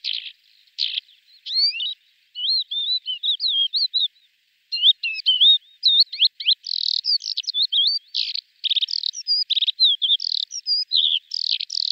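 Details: Male lesser short-toed lark singing in flight, calls mixed with mimicry: a long, fast, unbroken stream of varied chirps, trills, short whistles and buzzy slurred notes, with one brief pause near four seconds; clean background.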